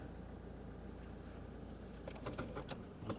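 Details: Low vehicle rumble fills the recording, with a few short knocks and clicks toward the end and no animal calls.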